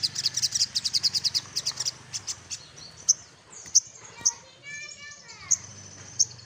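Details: Little spiderhunter searching for a rival opens with a rapid run of high sharp chips, then gives isolated piercing notes spaced about a second apart, while a lower harmonic chattering sound and a low hum run underneath.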